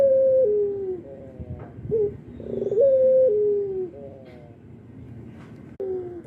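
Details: Albino barbary dove, said to coo actively morning, noon and night, repeats a sustained level coo that slides down a step, followed by a brief rising-falling note, with faint clicks and soft knocks in the background.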